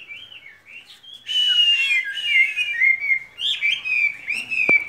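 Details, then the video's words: Caged skylark: soft wavering whistles open quietly, then a louder run of high trills and downward-sliding whistled notes with fast chattering behind them. "Chim quý ở lồng son ca bản tình ca mùa xuân"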